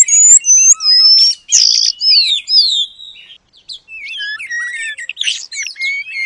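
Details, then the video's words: Kacer song imitating the Asian paradise flycatcher, used as training material: clear descending whistles and buzzy slurs at first, a short pause, then a jumble of twittering, squeaky notes. "Kacer Gacor Materi Burung Surga Ekor Panjang"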